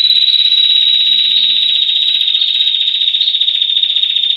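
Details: Rapid 'ngetir' trill of a female Rufescent Prinia, a recording for tutoring other songbirds: a dense high buzzing series of fast notes, sustained without a break and with occasional slightly higher accents.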